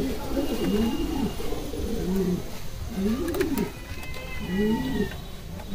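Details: Kalsara pigeon cooing: deep, arching phrases that swell and fall, about four in six seconds, with a faint high whistle-like tone and light clatter behind.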